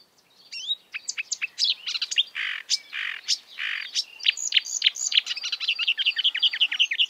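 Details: Wild marsh warbler singing a fast, varied song: sharp high chirps and clicks, buzzy harsh bursts in the middle, then a rapid run of ringing whistled notes toward the end.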